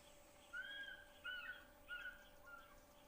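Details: African fish eagle calling, heard live at a waterhole in Africa and described as an iconic sound of Africa; four ringing, yelping notes with bright overtones, each about half a second, spaced roughly every 0.7 seconds and softening toward the end, over a faint steady hum.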